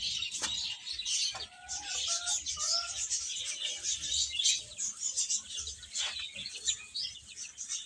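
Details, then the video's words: Many chicks chirp shrilly while eating and playing, a constant high twittering backdrop, with a few clearer, lower whistled notes heard briefly near the start. "Cute Chicks Eating and Playing | Baby Hen Chirping Sounds"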